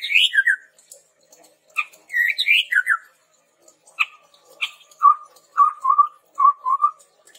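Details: Chestnut-rumped babbler in full song, meant as a lure for training birds: high rising and falling whistled phrases first, then a series of four low, wavering whistles repeated roughly every half second.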